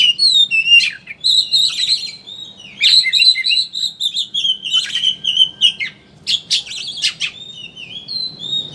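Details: Oriental magpie-robin in chattering 'ngeriwik' style, a lure meant to prompt other birds to sing freely; rapid, nearly continuous stream of high chirps, whistles and buzzy notes, about three per second, over faint background hum.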